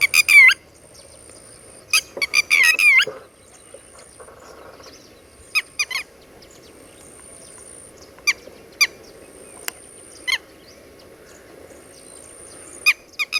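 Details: Red-wattled lapwing, locally called tateri, recorded with its chicks: two short bursts of loud, harmonic, bending calls early on, then only scattered brief clicks and faint notes over a quiet background.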